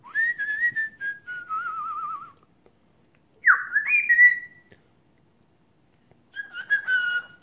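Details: Pet African grey parrot, just over one year old, whistling indoors during a chat with its owner: long warbling whistled phrases with a wavering trill, then a rising swoop and a final cluster of whistled notes after pauses.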